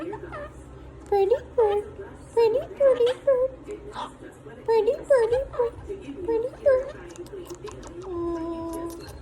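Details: A monk (Quaker) parakeet mimics speech, talking in short, squeaky phrases like "pretty bird" and "peekaboo" with wavering, rising and falling tones.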